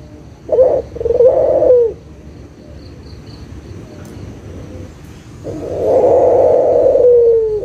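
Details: Local Barbary dove coo played as a lure for doves that stopped calling: a short note and a rolling coo, a quiet pause, then one long vibrating coo sliding down at the end.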